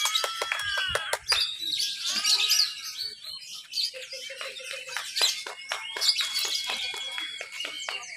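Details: Caged lovebird at a Papua practice contest, Lovebird B mixed class, 31 October 2021, performing 'ngekek' while moving on the bars: long, dense, high-pitched chattering trill with sharp clicks and whistled strands; other contest birds chatter alongside.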